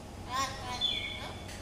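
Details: African grey parrot giving a slurred, tonal call with a rising then level whistle, followed by a falling whistled note, all within under two seconds, over a faint low hum.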